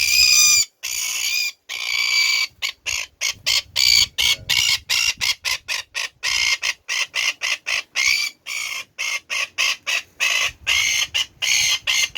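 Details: Red-billed tropicbird recorded up close as it sits in a rocky crevice on the wild Atlantic cliff coast of Montserrat, West Indies, where it nests. It gives harsh, shrill screeching in rapid choppy bursts that run on for twelve seconds.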